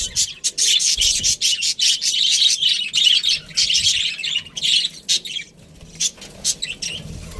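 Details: Pet budgerigar chattering in rapid high chirps. The bursts are packed closely at first, then thin out into scattered sharp tweets toward the end.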